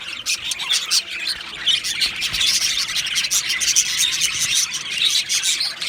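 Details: Two male budgerigars of Australian stock keep up a chirping warble: raspy, scratchy chatter carrying brief clear whistles, rather harsh and grating in places.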